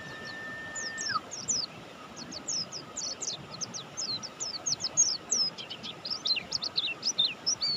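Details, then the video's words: Buxtoni mountain white-eye in full song, pouring out rapid strings of high, thin, sharply falling chirps; a steady level tone drops away in the first second, and a faint hum runs throughout. "suara burung pleci Buxtoni gacor"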